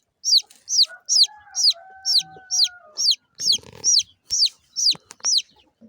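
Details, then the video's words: High, falling chirps of small chicks repeat about twice a second, a dozen in all, over a steady lower tonal hum and some brief rattling noises near the end. "chick chirping sounds"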